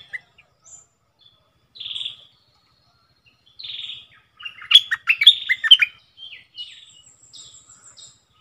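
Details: Caged decoy bulbul in doubled style: two short burry phrases a couple of seconds apart, then a loud cascade of rich, fluty chortled notes, fading into thin high whistles.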